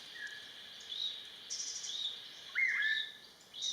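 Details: Buff-throated babbler in Vietnam singing short clear whistled notes, one a bright level whistle sliding down near the end, over a constant high insect drone.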